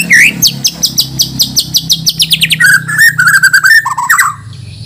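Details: Caged white-rumped shama of the Borneo form, from Banjar, being prepared for a singing contest, singing full of fillers. A rapid run of loud, sharp notes slides steadily downward, then gives way to a chattering string of lower warbled notes. Faint room hum underneath.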